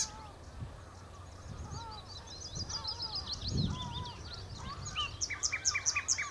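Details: Common nightingale at the Horsmeertjes on Texel delivering varied song: scattered chirps and soft warbling, then a closing burst of rapid, loud, repeated sharp notes; low rumbling noise and faint distant calls underneath.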